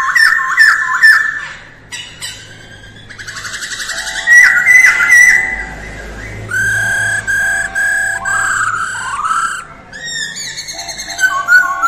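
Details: Masked laughingthrush singing its daily early-morning voice-training song: loud whistled phrases around one pitch, slurred and rising, overlapping buzzy rattles and a steady lower hum.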